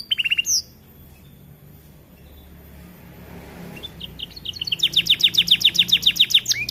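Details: Young canary beginning to sing, opening with a few sharp high chirps, then after a quiet pause breaking into a fast, even trill of bright repeated notes, about four per second and rising in loudness toward the end.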